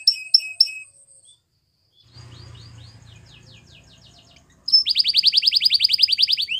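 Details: White Belgian canary gives a few short high chirps, a quiet stretch of faint notes over a low hum, then a loud rapid trill of high pulses.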